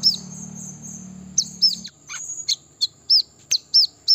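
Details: Brown-throated sunbird song played to lure and provoke birds: high, arched chirps about every third of a second, mixed with a few sharp clicks and a brief buzzy note, after a low hum fades out.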